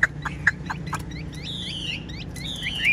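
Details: Chinese hwamei, a caged, largely tame bird with a spread tail, singing continuously. Several short sharp notes come first, then long sweeping whistles that descend slightly, with quick grace notes between them.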